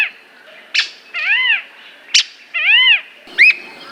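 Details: Squirrel cuckoo in Brazil alternating short harsh bursts with drawn-out, nasal, arched notes that rise and fall, rich in harmonics, then ending on a sharper hooked note.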